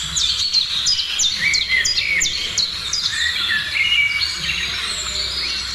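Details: Birds singing in the morning: a run of sharp, evenly spaced high chirps over a lower warbling bird and a busy background of twittering.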